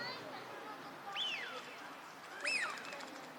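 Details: Eurasian wigeon at Junsai-ike green park in Chiba, Japan, in March 2025, a wintering duck in a park: two loud whistled calls that rise sharply, then slide down, about one second apart, over a faint murmur of background noise.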